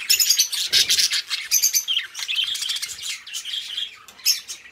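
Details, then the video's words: Pair of companion budgerigars chirping: bright high tweets and whistled squeaks mixed with buzzy warbling chatter, continuous, with a soft rustle near the start. "Cute Budgies Chirping: 2 Hours of Relaxing Parakeet Sounds"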